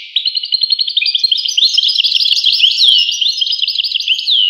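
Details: Goldfinch song starting with stuttered chirps and building into a lively, liquid twitter of slurred and tinkling notes.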